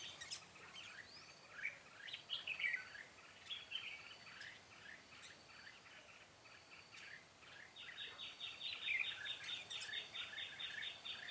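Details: Red-whiskered bulbul decoy singing to draw wild birds to a butterfly-wing trap, 13 March 2017. Scattered, slurred whistled notes come amid steady background noise, then a quick, even run of repeated notes near the end.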